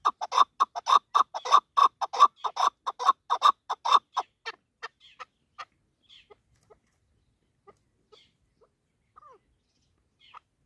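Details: Female chukar used as a hunting bird gives a rapid run of loud, throaty clucking notes for about four seconds, which then slows and fades into scattered soft chuks and faint squeaks.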